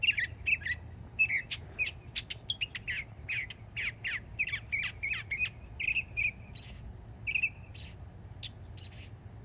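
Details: A young mockingbird in Florida sings a fast medley of chirps and clicks, followed by thin high whistles, the phrases changing every few seconds over light background hiss.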